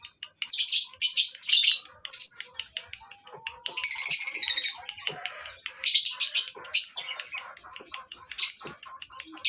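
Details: Lovebirds at a breeding farm in Indonesia, recorded for tutoring other birds: a dense, continuous chorus of shrill high chirps, squeaks and rapid twittering from many birds at once, with a few lower squawks.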